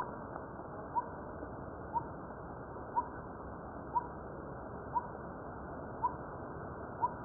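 A coppersmith barbet gives a steady, hollow, metallic 'tuk' about once a second, seven notes in a row, over a low background hiss.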